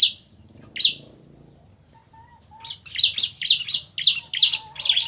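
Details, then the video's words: A male and female bar-winged prinia call back and forth. A single sharp chirp and a thin sustained whistle are followed by a steady series of loud, high chirps repeated about every third of a second. "Suara Asli Ciblek Jantan Betina Bersahutan"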